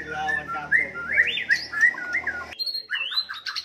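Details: White-rumped shama singing to rouse rivals: clear upslurred whistles over a low humming drone, which stops halfway, leaving crisp high whistled notes and short chips.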